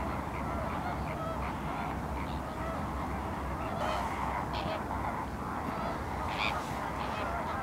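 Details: Flamingos on the Larnaca salt lake, Cyprus, produce a restless honking chorus. A few louder, sharper nasal calls stand out above the crowd, and there is constant low wind noise.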